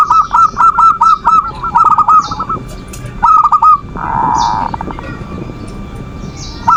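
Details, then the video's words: Perkutut, the zebra dove, in manggung song meant to bait a rival's emotions and stir lazy birds to call: several rapid rolling cooing phrases in quick succession, a pause, another phrase and a sustained buzzy note, with high chirps above. "Suara perkutut pancingan birahi dan emosi,the sound of turtle doves to lure passion and emotion"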